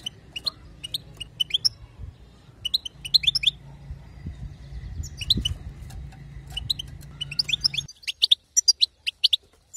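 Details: Female European goldfinch chatter, known locally as batbata, used to prompt a male to sing: bursts of quick, high, twittering chirps in short runs, separated by brief pauses, over a steady low hum.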